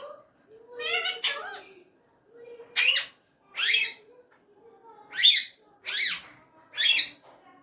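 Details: Pet ringneck parrot talking in Urdu/Hindi, saying "Mian Mithu": a run of speech-like syllables, then five short harsh bursts about every second, each preceded by a low hum.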